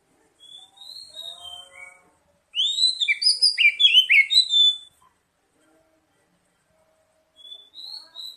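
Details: Oriental magpie-robin lure song to prompt singing: soft thin whistles, then a loud cascade of rapid warbled and whistled notes lasting about two seconds, followed by quiet and faint whistles.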